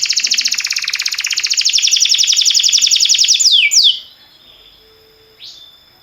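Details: Canary song for training canaries, timbrado style: a long fast pulsed trill lasting over three seconds, two falling swoops, then quiet with a single faint rising note.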